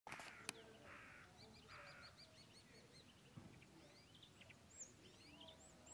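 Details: Common starling at Mali Lipoglav on 25 February 2024 gives a quick run of short clicking notes and two harsh rasps, then thin rising and falling whistles, all fairly quiet against a soft background hiss.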